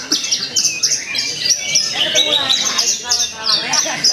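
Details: High, energetic song of a Javan bush lark competing at a Purwakarta bird contest on 2 February 2020: rapid buzzy trills and sharp downslurred whistles in quick succession, light background chatter.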